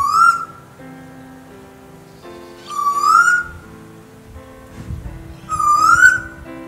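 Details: A lone male Eastern Koel calling by himself in the Hunter Valley, New South Wales, gives three loud, whistled, upslurred calls about every 2.7 seconds. Each call is a little stronger and longer, a rising crescendo, over soft background music.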